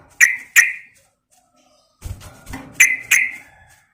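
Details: Yellow-vented bulbul female calling to a male: two loud sharp notes, a quiet gap, then low scuffling noise and two more ringing notes.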